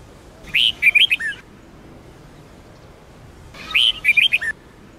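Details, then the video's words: Red-whiskered bulbul of the Sông Kôn song style, singing strongly for training other bulbuls: two short phrases of quick, clear whistled notes that rise and fall, the second phrase starting about three seconds after the first, over faint background hiss. "chào mào SÔNG KÔN hót cực hay"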